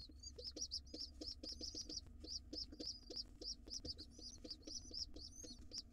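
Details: Wild pigeon nestling being fed by its father in a nest box; quick repeated shrill squeaks, some slightly rising, fill the whole stretch, with soft low thuds and a faint rumble underneath.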